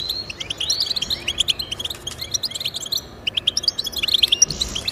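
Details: Goldfinch song meant to get pet goldfinches singing: quick liquid twitters and tinkling notes come in clusters, with a brief lull midway before the chattering picks up again.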